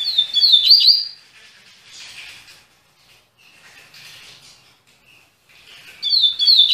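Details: Double-collared seedeater singing again after three months, giving two bright, rapid bursts of high twittering notes, one at the start and one at the end, with faint quiet notes between.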